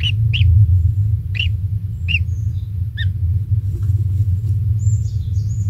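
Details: A young kingfisher chick in the nest, fed insects by its parent, gives five quick bright chirps in the first three seconds, then faint twittering, all over heavy low rumbling background noise.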